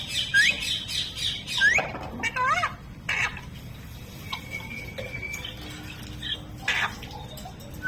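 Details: Talking parrot giving rising whistled notes and quick nasal, wavering syllables in the first three seconds, followed by quieter scattered squawks and a few flat electronic-sounding tones in an indoor setting.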